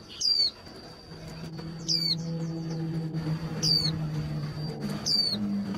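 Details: Female white-eye calling to spur males toward contest singing: four downward-gliding whistled notes, one with a quick twittering follow-up, over a low steady hum and a thin high tone.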